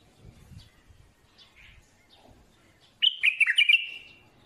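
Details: Soft, low background noises give way to a bulbul's sudden, loud, bubbling song phrase lasting about a second, made of quick chirpy whistles that tumble down and finish in a fading drawn note.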